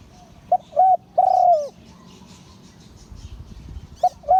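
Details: Spotted dove giving its Liu Tan crowing phrase, two short coos then a prolonged descending coo, with the next phrase starting near the end and faint chirps in the background.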